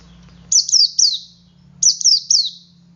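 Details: Male Oriental white-eye in ngalas song, a lure to get other white-eyes singing: two bursts of three bright, high, falling whistled notes in rapid succession, over a steady low background hum.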